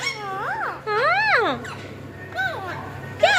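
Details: Alexandrine parakeets calling back and forth to each other, several loud, harmonic squawks that rise and fall in arches, with short pauses between them.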